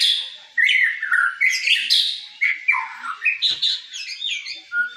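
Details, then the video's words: White-rumped shama (murai) giving sujud song: dense scratchy and whistled phrases, followed by a rhythmic string of short varied notes and a final clear, level whistle. "murai sujud"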